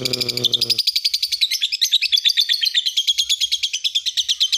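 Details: Lovebird master song for training other birds: a long, fast chattering trill of high, buzzy notes repeated about three times a second, briefly overlapped at the start by a low harmonic sound.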